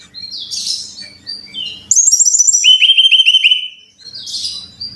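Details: Brown-chested jungle flycatcher song played to train caged birds to sing: soft scattered chirps over low hum, then a bright burst of rapid ringing whistles dropping to a steady repeated lower note.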